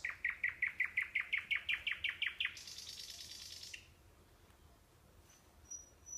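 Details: A nightingale in the Kursk region of Russia delivers a very regular series of about thirteen loud repeated notes, followed by a sustained buzzy trill, then near silence with one thin high whistle.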